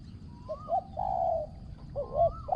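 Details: Spotted dove used as a decoy bird for luring wild doves, its voice praised as small and ringing with good phrasing. Low hollow coos: a short double note, then a long drawn coo, and the phrase starts again. Steady faint high hum and low rumble.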